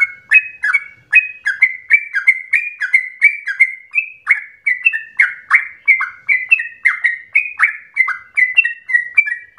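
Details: Non-stop agitated song of a yellow-vented bulbul (trucuk), kept as a provoking and tutoring recording: bright, clipped whistled notes tumbling in quick succession, slightly rising and falling, evenly dense throughout, clean background.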